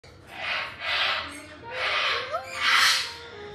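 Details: A female red-fronted parrot, a talking pet that says 'ohayou', gives four breathy, raspy squawks in about three seconds, with a faint rising whistle between them; a person's voice is heard briefly.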